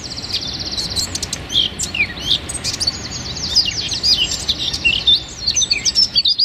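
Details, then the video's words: Rapid wren song in the tight 'tembakan' style, recorded as training material for songbirds. A steady high trill runs beneath scattered sharp ticks and down-slurred squeaks, and the phrases pour on continuously for several seconds. "Masteran Burung Suara Tembakan Wren Bird Suara Bren Tembakan Rapat Burung Kecil"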